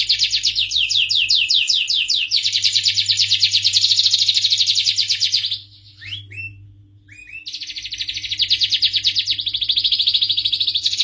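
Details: Canary song with long, fast, high trills, interrupted midway by a near-silent gap holding a few short slurred notes, then fast trilling returns; faint steady hum.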